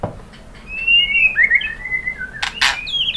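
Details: White-rumped shama singing to provoke other birds to respond: drawn-out, high whistled phrases slurring up and down, broken by two sharp clattering bursts near the end.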